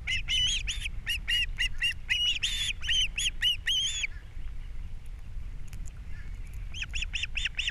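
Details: Captiva osprey nest, April 3, 2022, a morning fish delivery while the female feeds the chicks; a fast, insistent string of shrill whistled chirps about four per second, a brief lull, then the chirping resumes.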